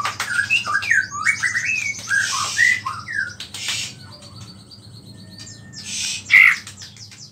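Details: White-rumped shama song, rich in small-bird mimicry and used to provoke other shamas. A quick burst of whistled and slurred notes opens, then the song fades to scattered faint notes and noisy bursts over a low hum.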